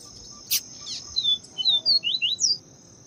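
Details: Yellow-bellied Seedeater, papa-capim viviti, giving the clean viviti song while a female calls to excite the male: a loud click, then a quick series of about eight high whistled slurred notes over a constant high-pitched hum.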